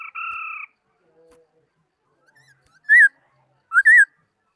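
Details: Laughingthrush singing, 2018: a flat, steady two-toned note, then after a pause two loud, clear whistles that rise and fall, each with rich overtones, in an otherwise silent setting.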